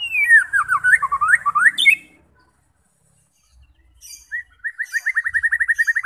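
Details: White-rumped shama singing to provoke fighting birds: a tumbling series of looping whistled notes, a silence of about two seconds, then a fast trill of repeated clipped notes.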